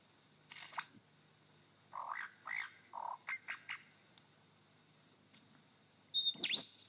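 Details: Male superb lyrebird singing on his dancing mound in Sherbrooke Forest Park, Victoria, mimicking a pilotbird: a quick run of rich, bouncing notes, then thin high whistles and a loud ringing upslurred whip at the end.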